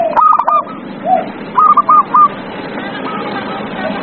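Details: Zebra dove singing as a lure for a quiet dove; an opening stuttered burst, a soft low coo, then a run of four clipped ringing notes fading into fainter coos over hiss.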